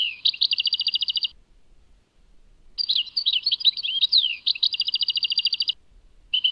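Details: European goldfinch singing, Tadmait: a rapid buzzy trill of evenly repeated notes, a pause, then tinkling twittered notes leading into another long fast trill, and a last trill starting at the end.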